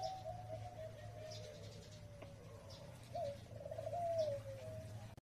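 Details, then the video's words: A Zebra Dove sings an Indo-style song: a soft, rolling series of trilled coos around a steady pitch, with a low steady hum beneath. "นกเขาชวาเพลงอินโด สวยๆ"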